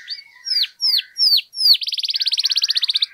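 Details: Canary singing to provoke other canaries into song: five loud downward-swept whistles about every third of a second, then a fast even trill of rapid repeated notes.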